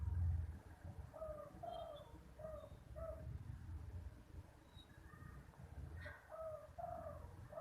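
A spotted dove gives mellow, low cooing phrases of several soft notes, repeated twice, over a steady low rumble of distant traffic.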